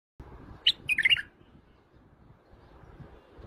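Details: Iraqi white-eared bulbul, played for other bulbuls to hear, gives one quick phrase of a few bright, bubbly warbled notes lasting about half a second, followed by quiet with a faint low background rumble.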